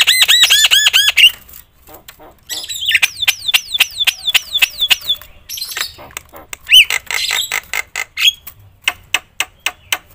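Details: Javan myna in full, varied song, loud enough to provoke other mynas: rapid looping whistled notes repeated many times, descending swoops, harsh clicks and a fast train of sharp ticks at the end.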